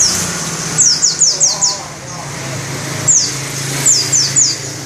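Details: Pleci white-eye giving ngerol trilling with open beak: two bursts of four to five quick, high, downward-slurred whistles separated by a pause, over a low background hum.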